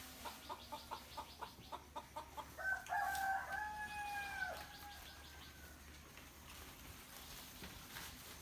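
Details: Rooster crowing in the morning amid other birds: rhythmic clucking pulses lead into a long drawn-out crow lasting about two seconds, followed by quieter background chirps.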